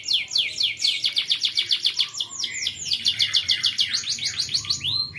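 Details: Canary training song from a young bird: dense, energetic rolls of repeated high downward-sliding notes, with occasional slower swooping phrases in between. The song is loud and continuous throughout.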